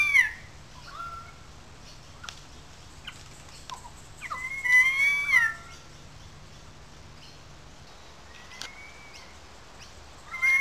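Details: Currawongs calling out loudly in a small gully above the wetlands of Sydney Park, St Peters, Sydney: sliding whistled notes, a loud drawn-out wavering call near the middle and another starting at the end, with quieter calls between.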